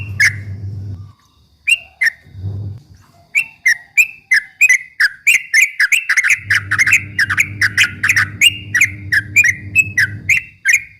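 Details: Yellow-vented bulbul in 'ropel' song, played to rile up rival birds at any time of day; scattered chirps build into a fast run of bright, sharp notes, with a low mechanical drone coming and going.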